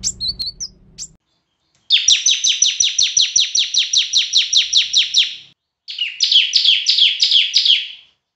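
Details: Semi-active singing bar-winged prinia with a loud voice, kept for tutoring other birds: a few thin chirps, then a long run of buzzy, downslurred high notes about three per second, a pause, and a shorter run.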